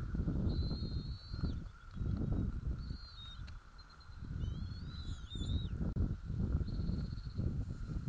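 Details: Bald eaglets being fed at a nest in White Rock, 06:15 on 06 04: thin, high whistled squeals, some level then sliding down, come in short bursts and a run of tangled slurred notes, over steady wind rumble.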